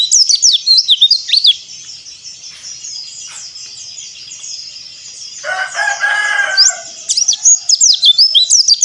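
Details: White-eye song, meant to coax silent birds into singing: bursts of rapid high twittering slurred notes open and close the passage, with a quieter stretch between and a brief lower, harsher, harmonic call midway.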